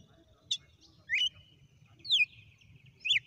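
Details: Red-cowled cardinal, wild, in a 'sequência de açoites' (whip sequence) song: four loud whistled notes with pauses between, several sweeping sharply downward, over a faint low background hum.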